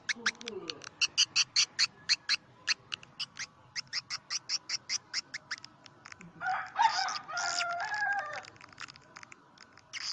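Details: Swiftlet house lure in the 'karindanga' style: a long, rapid series of short, high chirps, briefly broken by a rougher, buzzy chattering burst with tonal notes before the chirps resume.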